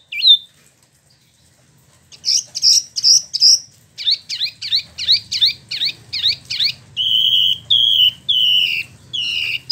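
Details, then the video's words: Rolling song of a caged spot-throated babbler (Wambi Mini) kept in Bandung, Indonesia, originally imported from China and Vietnam: a sharp opening note, then a long run of clear whistled phrases with steady downslurs, about three per second. "Wambi Mini / Tieu Mi (Pellorneum albiventre) ngeroll"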